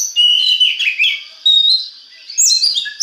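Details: Oriental magpie-robin song used to encourage other magpie-robins to sing; clear sustained whistled notes, some wavering and sliding, then higher sharp phrases.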